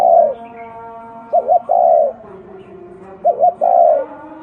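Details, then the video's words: Local field spotted dove gives its coo phrase: a fast double note followed by a drawn-out, slightly descending coo, heard twice plus the tail of an earlier phrase, over faint humming tones. "Tiếng chim cu gáy thổ đồng gù"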